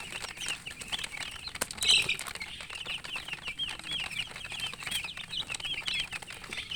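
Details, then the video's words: Baby chickens in poultry, thirsty for water, keep up a dense chorus of rapid high-pitched peeping, many overlapping short chirps, with brief knocks and handling noise. "Murgi chicks Chirping sounds with thirst for drink water"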